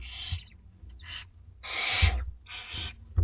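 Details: Two-week-old barn owlets at dinner time in a school garden, producing rough hissing begging screeches, one loud drawn-out burst among shorter ones, with soft bumps and movement sounds beneath.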